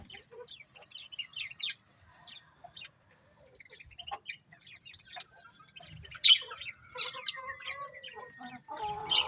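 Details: Colourful budgies in chattering chorus, a dense run of high clicks, chirps and warbles with a long thin falling whistle near the end and occasional scratchy squawks.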